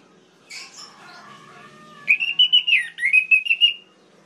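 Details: Orange-headed thrush song played to provoke other males: soft faint notes, then a loud run of rapid whistled phrases near the middle and end, slurred and wavering, repeated in quick bursts.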